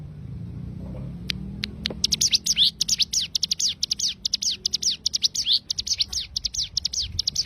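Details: Cigun rapid-fire tembakan song used as a tutor recording for training songbirds: after a few scattered notes, a fast run of sharp, high, slurred chips and flicks repeated densely with hardly a pause.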